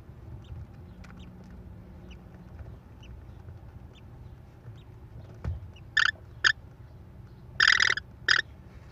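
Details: American kestrel mother feeding four chicks at a Wisconsin nest, May 13, 2021, nest camera; quiet clicking and faint notes, then a cluster of loud rasping screeches in the last three seconds, over low hum.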